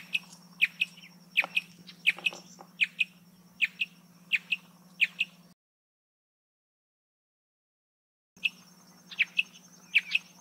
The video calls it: Canto do pássaro Bicudinho-do-brejo